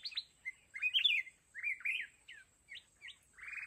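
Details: Decoy red-whiskered bulbul in a trap set for mountain bulbuls, singing a quick string of bright slurred whistles, some dipping and some rising, ending in a buzzy note, with a thin constant high tone in the background.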